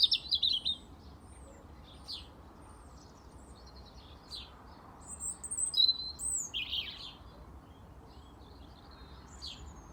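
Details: A European robin in a Dublin garden on 18 February 2024 sings thin, high, scattered phrases of twittering notes and brief trills with pauses between, over a soft background hum.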